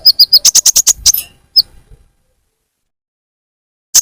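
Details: Olive-backed sunbird lure call for attracting birds: a rapid burst of about ten sharp, very high, clicking chirps within a second, a single chirp after, then silence and one more chirp at the end.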